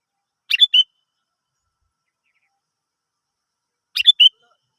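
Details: Sooty-headed bulbul song used as a lure to prompt other birds to sing: two short bubbly whistled phrases, about three and a half seconds apart, with silence between them.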